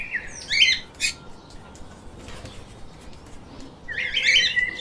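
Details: Pet lovebirds giving a couple of short, squawky chirps, then a quieter gap, then a busier burst of shrill chirps near the end over a low hiss.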